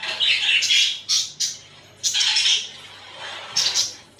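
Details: Pet budgerigars cuddling and fighting, giving bursts of scratchy, buzzy chatter broken by sharp clipped chirps and brief pauses.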